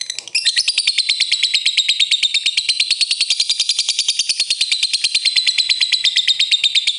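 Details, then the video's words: Calling lovebird in ngetik ngekek style, meant to get rival birds singing: after a short start, a long, dense, high-pitched chattering trill pours out steadily for nearly seven seconds. "suara burung Lovebird memanggil ngetik ngekek ampuh bikin lawan cepet bunyi"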